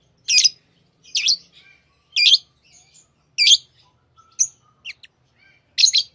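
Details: Lovebirds kept as pets chirp shrilly and high, single sharp notes about once a second, with a few softer, thinner peeps between them.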